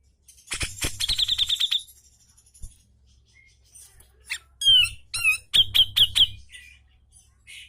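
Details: Grey-cheeked bulbul song for training caged birds to sing: a fast train of sharp repeated notes, a pause, then loud slurred whistles and another quick burst of piercing notes.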